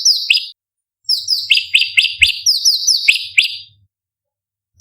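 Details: Sooty-headed bulbul (cucak cungkok) giving a sharp, high, varied song used to train competition birds. Two phrases of rapid, bright, falling whistles, the second longer, with quiet gaps between them.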